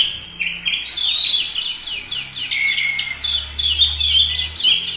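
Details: Continuous song of an Oriental magpie-robin: sweeping whistled notes and twittering phrases, mostly rising slurs repeated in quick succession, with a soft low hum underneath.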